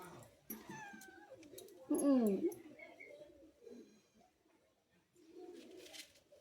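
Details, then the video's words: A pet parrot talking, said to repeat 'mummy' and 'papa': a few short speech-like harmonic phrases, the loudest a strained, wavering utterance midway, then softer mumbled syllables in a quiet indoor setting. "Parrot Talking Mummy Papa"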